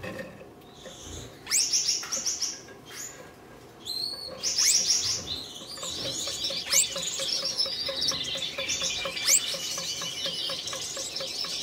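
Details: Red-headed Gouldian finches courting in captivity after being paired for breeding. Scattered sharp chirps build into continuous high buzzing, twittering song with clicky notes. Steady rhythmic ticking sits beneath throughout.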